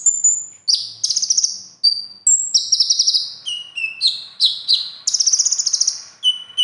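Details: Konin performing a contest song of mimicked phrases: thin high whistles, dense buzzy trills and lower slurred whistles mixed in quick succession.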